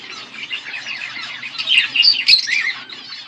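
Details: A pair of pet budgerigars twittering: continuous high, buzzy warble of rapid chirps, rising to louder squeaky whistles midway, with a sharp click near the end.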